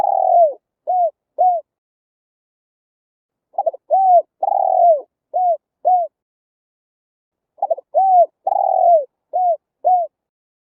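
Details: Full spotted dove cooing sequence played to attract wild birds: three phrases about four seconds apart, each stuttering notes, a long falling coo and two short clipped coos.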